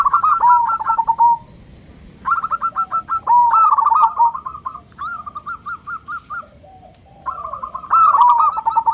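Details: A local zebra dove gives a loud, clear, crystal-voiced cooing song used as a lure to rouse other doves. Rapid pulsed coos form repeated phrases with short pauses between them.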